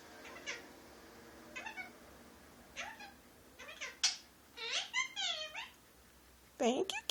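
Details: Speech mimicry from a male pet Indian ringneck parakeet indoors, saying phrases such as give me a kiss and thank you. A busy string of rasping, chattering word-sounds builds to rapid syllables and closes with a loud harsh burst.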